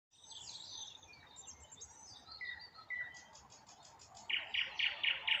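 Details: Nightingale song at sunset in the Moscow region while acacia blooms: varied high chatter and a few clear whistles, then a burst of five loud, rapid, evenly repeated notes. Other birds twitter faintly behind.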